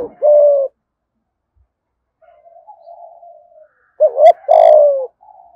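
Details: Spotted dove from Đồng Nai, Vietnam, 'thúc gù' in the 'giọng thổ' style: the tail of one long coo, a pause with quiet burbling notes, then a fresh phrase of two short rising notes and a long falling coo.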